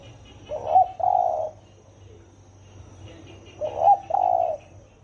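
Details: Spotted dove, 'thổ ồm' voice used to provoke 'thổ đồng' doves, gives two matching phrases about three seconds apart, each a quick note then a sustained hollow coo, with faint high chirps of small birds behind.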